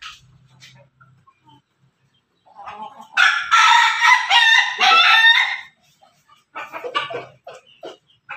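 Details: Backyard chicken, Pelung–Bangkok–Ketawa cross, crowing: after faint scattered notes, a loud harmonic crow of about two and a half seconds with slight wavering, followed by a burst of short clucking calls.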